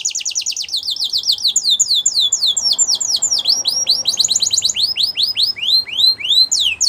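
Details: Belgian canary, recorded for training young canaries, sings long runs of rapid sweeping notes, first rising then falling, repeated several times a second in a bright, continuous high-pitched song.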